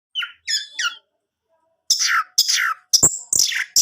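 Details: Orange-headed thrush song played to prompt a kept male to sing: three short bright whistled notes, a pause, then harsher buzzy, sweeping phrases and sharp clicks, all high-pitched.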